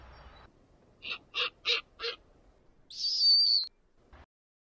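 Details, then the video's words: Snowy Owl gives four harsh, barking notes about a third of a second apart, then a longer high, hoarse screech. "Snowy Owl sounds"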